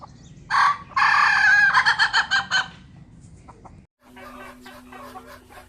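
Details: Ayam Ketawa, a laughing chicken kept by its owner in Meulaboh, gives a ngokok crow: a loud harmonic call that breaks into a fast run of stuttering, cackling pulses, then stops. Faint background hum and rustling follow.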